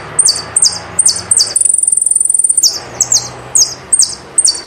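Saffron finch singing a series of sharp, high, downslurred chirps with a rapid buzzy trill in the middle, against faint background hum.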